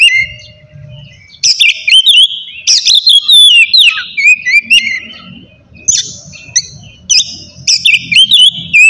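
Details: Ngeplong song from an oriental magpie-robin, used as a lure to provoke rivals and reluctant singers; clear rising whistles alternate with harsh buzzy bursts in rapid, uneven phrases over a faint low rumble.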